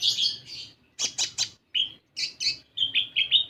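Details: Sunbird singing, used as a lure to set other birds singing: rapid series of high buzzy chirps and clipped notes in short bursts, ending in quick repeated thin whistled phrases.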